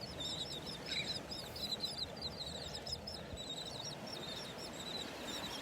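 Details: A flock of terns on a beach at Delnor-Wiggins Pass State Park, North Naples, Florida, on the morning of August 23, 2019, gives harsh, high, grating calls that overlap and repeat nonstop over a steady roar of surf and wind.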